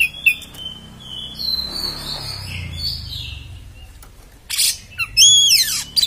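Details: Oriental magpie-robin in rough beset style. Scattered whistles and faint warbling give way to loud rasping bursts and steep downward-sweeping whistled notes near the end.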